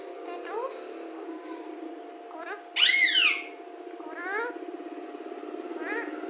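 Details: Alexandrine parakeet, a talking parrot said to speak clearly: soft syllables, then a loud harsh, descending voice-like burst, followed by rising-falling speech-like tones and a fine rapid buzzing in the background.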